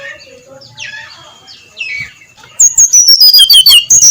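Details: Dawn ngeplong song of a brown-chested jungle flycatcher: after quiet twittering from other birds, a loud train of about eight sharp whistled notes steps down the scale, then lifts again at the close.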